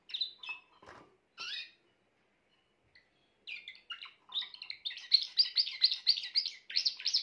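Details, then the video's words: Grey Timbrado canary singing: scattered high chirps and pauses open the phrase, then it builds into a fast, rolling run of bright, buzzy notes repeated several times a second. "meilleur chant canari timbrado l chant d'un canari timbrado gris"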